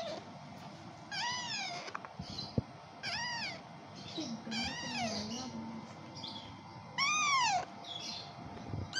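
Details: Hand-fed Kashmiri raw parrot chick, five days into hand feeding, uttering arched harmonic squeals at irregular intervals, some longer and louder, mixed with scratchy feeding noises and a faint low murmur.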